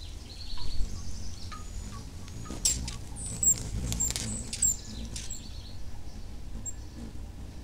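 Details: Allen's hummingbird female with chicks aged 31 and 33 days near the nest; a burst of sharp high ticks and thin squeaky chips mid-clip, then quieter, against low background rumble.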